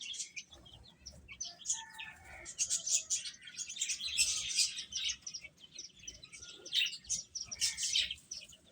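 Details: Several baby chickens eating and chirping; busy overlapping high-pitched peeps, about three per second, with a few longer thin whistled notes and faint tapping underneath.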